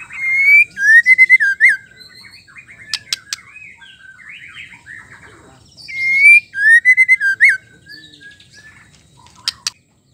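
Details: Female white-rumped shama singing, a song used to rouse emotion in males and make them sing: loud clear whistled phrases with rising and falling notes in two bursts, each followed by quick sharp chips, with quieter warbling between.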